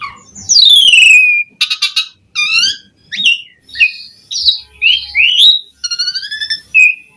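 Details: Asian pied starling singing a rich mix of a long falling whistle, buzzy bursts, short chirps and mellow warbles, loud and varied with brief gaps between phrases.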